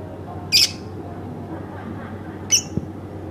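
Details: Household lovebird uttering two brief shrill chirps two seconds apart against a quiet humming room background.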